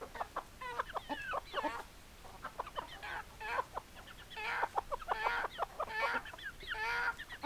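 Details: Hens and roosters of a chicken flock giving rapid, clipped clucks in quick bursts, mixed with longer wavering, nasal notes from several birds, growing busier and louder in the second half.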